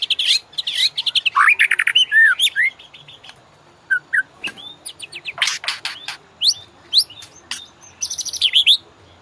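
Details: White-rumped shama master song for training caged birds to ngorak: a rapid series of buzzy chips and slurred whistles, then scattered harsh bursts and short two-note phrases, ending in dense high chatter.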